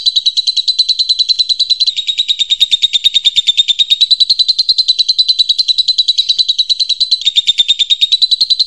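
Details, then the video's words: Baby lovebird from a master recording made for training: rapid, steady stream of high chirps, about three per second, in a dense continuous buzzing run with brief dips near two and seven seconds; no other sounds. "Masteran lovebird baby"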